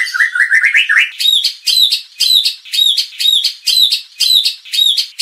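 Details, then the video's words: White-rumped shama lure song for agitating contest birds; begins with a quick rising chatter of notes, then a sharp, ringing whistled element repeated about twice a second. "MURAI BATU BIKIN RAME | pancingan murai batu agar emosi bongkar isian"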